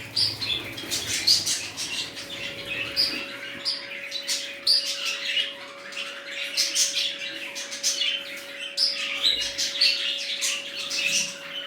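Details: New budgerigar colony in full chorus, a steady stream of high chirps, sharp clicks and buzzy warbling from many birds at once, a low steady hum in the background.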